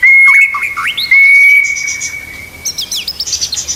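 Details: Murai batu tutor recording: a long steady pure whistle held for over two seconds with short looping notes, then quick high chirps as the sound fades.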